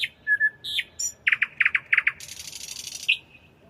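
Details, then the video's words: A nightingale sings at night, opening with sharp high notes and a drawn-out low whistle, then a series of loud clustered chock notes repeated several times a second, followed by a long buzzy churring trill. "Ночное пение соловья"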